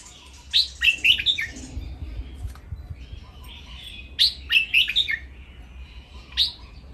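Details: Caged red-whiskered bulbuls sing a playful training song: crisp phrases of four or five sharp, sweet whistled notes, with a gap of about three seconds between bursts and a single note to finish. Faint low hum underneath.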